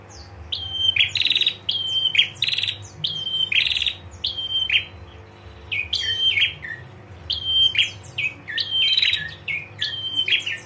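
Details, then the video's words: Female prinia delivering a gacor ngetir series to provoke males: repeated whistle-then-rattle phrases roughly every second, steady and energetic for over ten seconds. "PRENJAK JANTAN DIJAMIN LANGSUNG NGRESPON SUARA PRENJAK BETINA NGETIR GACOR"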